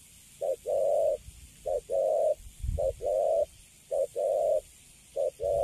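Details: Wild-caught spotted dove in a cage cooing repeatedly: short introductory hoot, then a longer mellow level coo, about once per second, with faint low knocking in the background.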